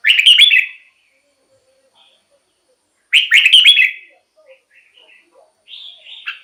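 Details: Red-whiskered bulbul singing, used to lure wild birds or excite caged ones: two loud warbled phrases three seconds apart, then softer, higher twittering notes trailing off.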